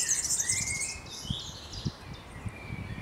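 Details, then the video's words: European serin singing in a graveyard in Berlin: a dense, high, jingling burst of rapid buzzy notes fills the first second, then fades to fainter twittering. A thinner, lower whistled line runs beneath it, over soft low thumps. "The European Serin (Serinus serinus) song."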